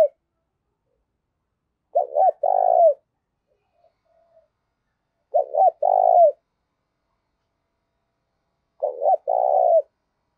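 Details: Spotted dove call meant to provoke fighting and used as a decoy: three phrases, each two short clipped notes then a long rolling mid-pitched coo ending in a downslur, spaced about three to four seconds apart, clean background.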